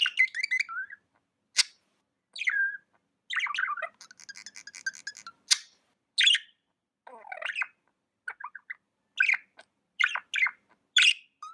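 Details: Tame budgerigar chattering steadily: buzzy rattling phrases, sharp high clicks, and downward-sliding chirps that repeat roughly every second, forming a busy, continuous warble with short breaks.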